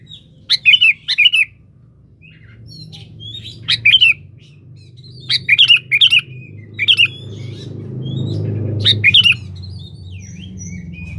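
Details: Sooty-headed bulbul in lively song calling a rival, used as a lure: short bubbly whistled phrases of two to three notes, repeated every second or two, with a low background rumble.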